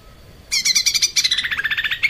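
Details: Male lesser green leafbird (kept songbird) bursts into a fast, high chattering series of bright notes, about a dozen per second, falling slightly in a second phrase.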